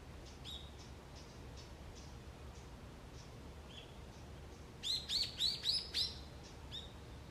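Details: Forest wild birds on an autumn early morning: faint scattered high chirps, then a clear run of five loud, sharp rising notes about a quarter second apart, followed by one softer note, over low background rumble.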